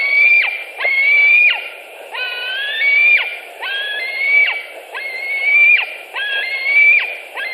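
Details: White-tailed eagle calling at a Latvian nest on 26 July 2018, an adult arriving with a bird and another coming in: some eight harsh, rising whistled notes, each clipped by a steep downward slur, evenly repeated.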